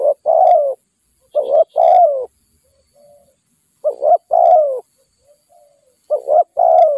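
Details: Wild spotted dove, aggressive toward a decoy, delivering deep rough coo phrases, short double note then extended descending note, several times with quiet soft cooing in the pauses.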